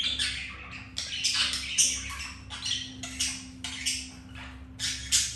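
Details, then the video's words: Pet budgerigars mating, a male mounting a female after another white-grey hen rejected him; harsh, broadband squawky chatter in short bursts about every half second to second, steady low hum underneath. "Budgies mating"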